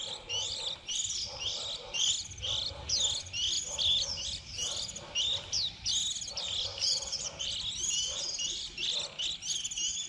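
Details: Young white-eyes early in the 2020 season, fledglings leaving the nest around April, recorded as a trapping lure: dense, continuous high twittering of quick chirped notes in overlapping bursts, with a faint lower hum underneath.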